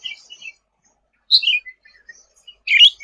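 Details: Sooty-headed bulbul singing for songbird tutoring: soft twittering notes, then a louder descending chirped phrase, a quiet gap with faint chips, and a closing burst of rough chirps.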